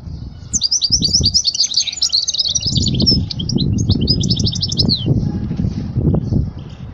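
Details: European goldfinch song for teaching young goldfinches, rapid tinkling twitters in a continuous run, accompanied by loud low rumbling noise.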